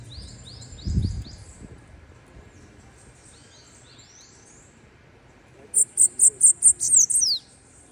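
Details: Bananaquit singing a single fast series of about seven shrill, high-pitched notes closing with a slurred buzzy flourish, after softer faint high slurs and a short low muffled noise near the start.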